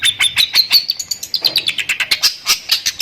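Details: Long-tailed shrike with lovebird-filled 'tembakan' song. Dense, scratchy chattering notes pour out quickly in an irregular rhythm, high-pitched and rasping throughout.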